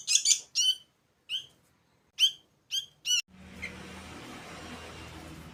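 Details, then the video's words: Hand-fed sooty-headed bulbul chicks on day four giving short, harsh rasping begging calls in an irregular series, then a rush of broadband rustling and low hum after three seconds. "hari ke 4 meloloh anakan burung kutilang"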